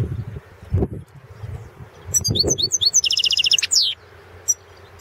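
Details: Balkan European goldfinch, Carduelis carduelis balcanica, singing in a 2016 World Championship in Goldfinch Song entry from Serbia: a few low thumps, then a rapid, bright high twitter of quick repeated notes lasting about two seconds.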